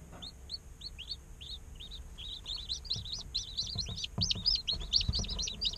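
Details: Day-old chicks in an incubator chirping and playing: evenly spaced single peeps that build into a dense, overlapping chorus of sharp rising chirps, with soft thumps and bumps below.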